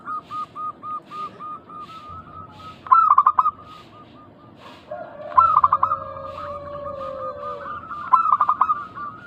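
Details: Lure recording of local zebra doves meant to draw answering calls: a steady string of short even coos, three loud stuttering phrases, and a long lower drawn note in the middle.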